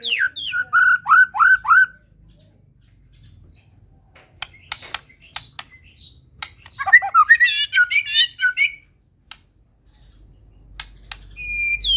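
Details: White-rumped shama, a Medan-type bird, in full song: a run of loud, sweeping whistled notes, then sharp clicks and a burst of rapid varied phrases, ending in a high thin whistle.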